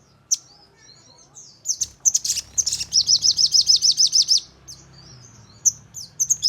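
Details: Crimson sunbird (sogon) lure song for daily or contest birds, aimed at making them respond and trill. Isolated sharp notes and clicky bursts lead into a quick high trill of about a dozen notes, then more single chips.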